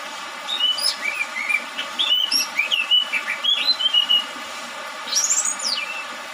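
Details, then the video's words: Orange-headed thrush, a young bird just out of its spotted juvenile plumage, singing in dew and rain. Clear whistled phrases, some rising and some falling, given in quick succession, ending in a loud high slurred whistle. "Terapi burung anis merah lepas trotol diembun dan hujan"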